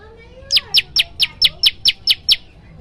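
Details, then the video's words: A faint soft note precedes nine strong, sharp descending chips from a prenjak lumut, delivered in a quick steady rhythm as its loud 'tembakan' song variation. "prenjak lumut gacor suara tembakan keras"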